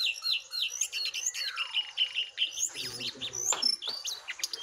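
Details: Jongkangan sing hard, wild bird against caged bird: fast tumbling chirps and slurred whistles, including a long descending slur, then dense overlapping twitters with some low background rumble.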